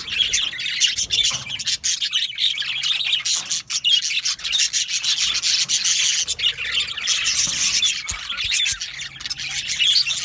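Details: A budgie colony of yellow males chatters at length in an aviary, a crowded layer of scratchy warbling and quick chirps, rising and falling over ten seconds.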